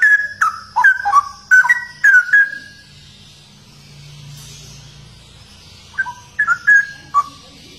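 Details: Straw-headed bulbul (cucak rowo), rare and known for its distinctive song, pours out a vigorous run of liquid whistled phrases with clicking onsets. It pauses for about three seconds over a soft rumble, then resumes with a few shorter notes.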